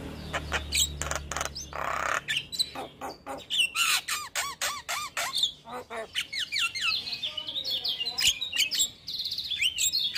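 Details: Male Javan myna singing in the morning, a full-fill tutor song: harsh squawks, clicks and sharp downslurred whistles tumble irregularly, with a burst of rough broadband noise early on.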